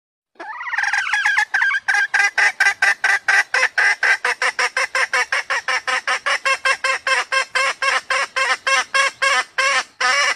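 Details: Female red junglefowl, used as a caller to attract junglefowl: after a short rising opening note, a fast series of harsh, harmonic clucking notes repeats about four times per second for ten seconds, steady and loud.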